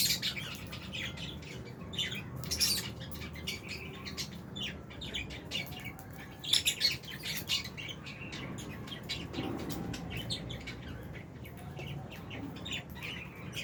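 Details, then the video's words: Albino and Fisher's lovebirds in an aviary colony give a busy stream of sharp, high chirps and tweets, overlapping from several birds, with occasional wing flutters and low background hum. "Lovebirds Chirping Sounds"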